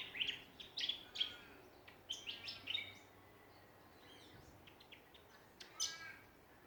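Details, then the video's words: Songbirds in a backyard in Ballajura, Western Australia, giving spaced sharp chirps and short bright phrases in the first three seconds, then quieter scattered notes and one final high chip. "Australian songbirds in backyard."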